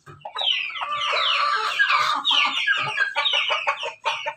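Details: Crossbred pelung, Bangkok and ketawa chickens with red combs, farm in Banguntapan, Jogja; long sustained crow with wavering tone followed by a rapid stammering run of short notes, other roosters overlapping.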